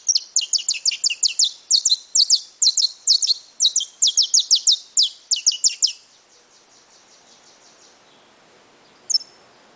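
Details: Saffron finch, brown (pardo) bird, pouring out dense bursts of high, clipped descending chirps for about six seconds, then fading to faint chips and one final sharp note after a quiet stretch.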